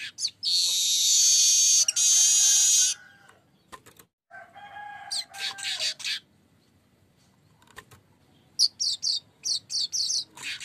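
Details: Streaked weaver singing as a lure: a loud sizzling buzz of over two seconds, a lower steady tone and scratchy chatter, a silent gap, then a fast series of short high buzzy notes.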